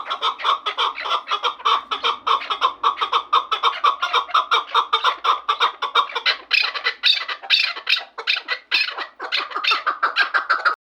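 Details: Chukar partridges from Vanj, described as two fine birds, calling continuously in dense, rhythmic, raspy chuckling notes that run fast and steady throughout, growing louder and harsher after the middle.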